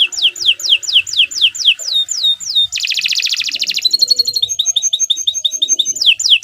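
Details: Canary song for song training: repeated descending whistled slurs, a dense buzzy rattle, a high ringing trill, then quick even chips and renewed slurs.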